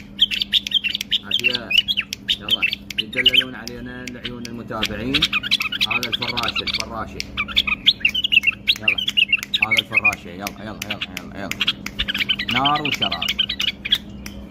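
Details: Tame pet bulbul song: dense, lively chattering whistles and chirps running almost continuously, while a man talks in the background and a low hum runs throughout.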